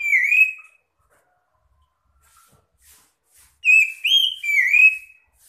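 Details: Magpie-robins singing in reply to one another to lure other birds: one loud slurred whistle, a pause with faint ticks, then a quick run of three bright whistled notes, mostly rising and falling.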